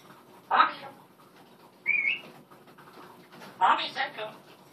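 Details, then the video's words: Female pet African grey parrot indoors calling for its owner: two rough speech-like bursts framing a single clear upward-sliding whistle, each sound separated by about a second of quiet. "the African grey calls her mommy"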